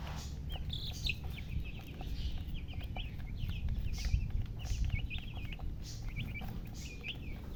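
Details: Several chicken chicks peeping together, their high, wavering chirps coming in busy bursts and short runs, with faint clicks and a low steady hum behind.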